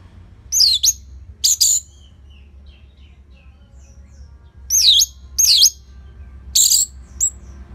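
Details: Orange-headed thrush in steady, relaxed song, played to draw out and tutor other birds: bursts of sharp V-shaped whistles that drop and rise, with gaps of up to three seconds between them. A faint low hum runs underneath.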